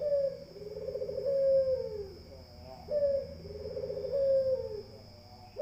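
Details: Puter dove cooing twice: a short clipped note leading into a rolling, warbled low coo that tails off downward, with a constant thin high-pitched hum in the background.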